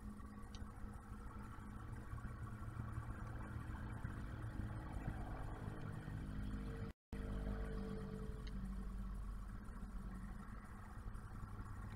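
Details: A steady low engine-like rumble with faint clatter fills the clip, briefly cut off near the middle, and no animal sound is heard.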